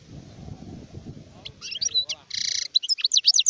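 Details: Low murmuring noise gives way to an adult European goldfinch song: scattered chirps, a harsh buzzing burst, then quick tinkling twitters.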